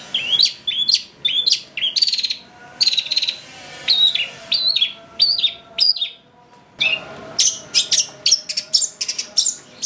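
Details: Long-tailed shrike in full, nonstop song with varied fill phrases, used as a lure to make birds sing excitedly: quick mix of clear whistles, slurs and scratchy notes, brief pause, then a faster burst of sharp notes.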